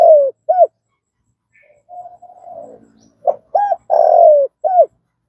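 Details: Spotted dove cooing: two short, low hooting coos, a pause with faint rustling, then a full phrase of a quick note, a rounded coo, a long falling coo and a short closing coo.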